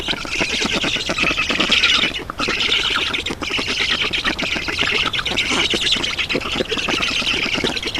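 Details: At an Estonian black stork nest on 7 June 2019, 11:03, during a water delivery, a long run of grating, wheezy squawking pours out almost without pause, with a brief dip near the middle.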